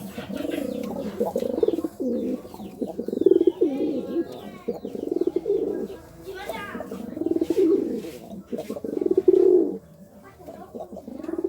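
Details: Low, rolling coos of a courting pigeon repeat almost continuously, with a human voice and scattered higher chirps heard faintly behind them.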